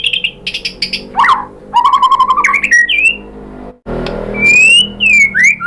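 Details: White-rumped shama lure song meant to provoke answering birds: chopped high notes, a low rapid trill, slurred whistles, a brief gap, then loud clear drawn-out whistles that rise and fall.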